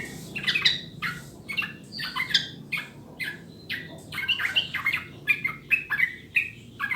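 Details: Sooty-headed bulbul song used as tutor sound to coax birds to sing fast: lively, bubbly whistled phrases repeated in quick bursts, each a cluster of liquid notes, over faint low hum.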